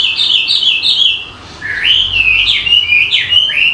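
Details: Bird singing quick wavering whistled notes, a short pause, then a rising warbled run of looping whistles that continues to the end.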